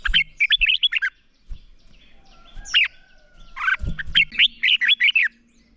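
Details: Red-whiskered bulbul morning fighting song used to train young birds: two bursts of quick, bubbly warbled notes framing a quieter middle with a thin sustained tone and a single slurred whistle.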